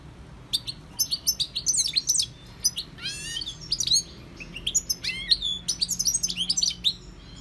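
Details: Singing goldfinch: lively, rambling twitters mixing sharp chips, buzzy notes and a drawn-out descending slur, uttered in rapid bursts with short gaps between phrases.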